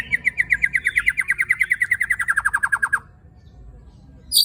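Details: White-rumped shama delivering a 'tembakan' volley, a rapid machine-gun string of some twenty-five identical sharp notes over three seconds, slowly dropping in pitch, then silence and a brief high chip. Sung to provoke other shamas.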